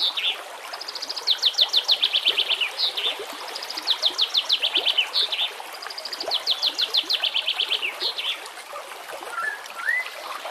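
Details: White-rumped shama song for training captive birds: three loud phrases of rapid, evenly spaced high descending trill notes, each about one and a half seconds long, then a short rising whistle near the end over steady background hiss.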